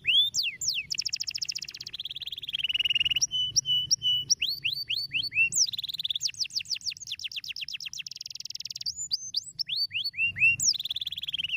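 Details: Canary singing a stimulating song: shifting tours of rapid trills, steady whistled notes, buzzy rolls and series of steep downslurred whistles, rich and continuous, with a soft low hum behind.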